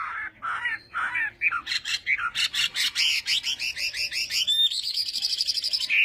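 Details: Chinese hwamei during a singing contest and morning voice training, giving rapid repeated notes that speed into a fast rattling trill, then a sustained high ringing series, with faint background noise.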